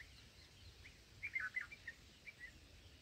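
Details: Black-headed bulbul chicks in the nest at feeding time, recorded with a fixed camera and nobody present: a short burst of thin, clipped chirps, about eight quick notes, after a quiet start with faint outdoor noise.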